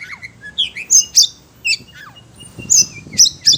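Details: Caged Oriental magpie-robin (kacer), stirred up by other birds' calls, utters loud piercing high chips and short slurred whistles in clustered bursts with brief gaps.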